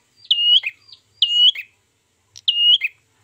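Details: Ashy tailorbird trapping lure. Three loud, high flat whistles about a second apart each end in a short, lower buzzy drop.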